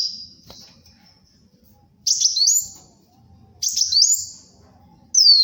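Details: Kolibri wulung sunbird song meant for luring and tutoring: a faint whistle, then two strong buzzy rising-and-falling high phrases about one and a half seconds apart, with quiet low hum beneath.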